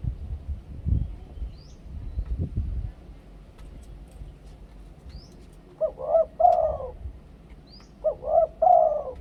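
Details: Spotted dove from Thailand singing in the two-note 'kuk khu-ang' style used as a decoy voice: two soft, hollow cooing phrases a couple of seconds apart, each a short note then a longer rolling coo, over low rumbling background.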